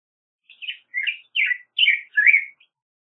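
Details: Black-headed grosbeak song: five rich warbled phrases in a clean sequence, each a short slurred rising-and-falling whistle, delivered about every half second with brief pauses between, no other sounds.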